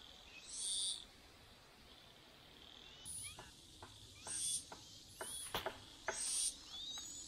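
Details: Two Chinese hwamei parents feed their chicks, the mother taking over from the father. High, hissy begging bursts come in uneven runs, mixed with sharp clicks and taps from movement around the nest.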